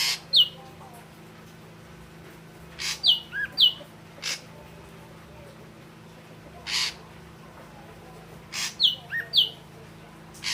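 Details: Ashy drongo, red-eyed grey form, alternating loud harsh rasps with short, high, downslurred whistles in loose clusters, a few lower slurred notes between, against a faint hum.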